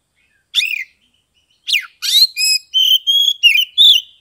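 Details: Ngeplong-style song of an Oriental magpie-robin from Kebumen, Central Java, used as therapy to rouse mute, reluctant birds. A single sharp note is followed by a quick run of clear, ringing whistles with rasping edges, against a silent background.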